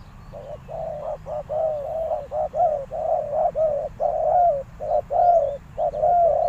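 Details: Decoy spotted dove calling to attract wild doves: loud, rapid runs of mellow hooting coos, some short and clipped, others longer and slightly falling, repeated about once a second over faint low noise.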